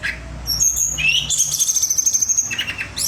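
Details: Pied fantail (tledekan) singing, kept as a contest songbird: high, thin whistled notes with slurred rising and falling phrases, then a long sustained high whistle with a steady fluttering pulse.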